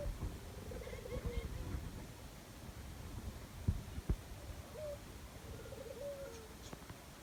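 A dove gives two soft, low, rolling coos about four seconds apart, each ending in a slight rise and fall, over a hissy background with a few clicks.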